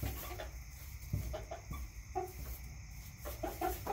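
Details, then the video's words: Backyard chickens clucking: short nasal notes in pairs and small clusters, some slightly drawn out, against a steady background hum. "CHICKENS CLUCKING ASMR"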